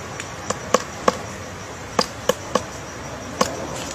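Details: Woodpecker chiselling a hole in a tree: sharp, irregular wooden taps, single or in quick pairs, about seven strikes over four seconds with uneven gaps, over steady background hiss.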